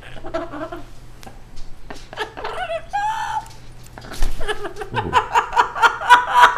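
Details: A pet female yellow-naped amazon parrot chatters in speech-like phrases ("you pretty girl", "where's the kitty"), then breaks into rapid human-style laughter, roughly four bursts per second, in a small indoor room with a steady low hum.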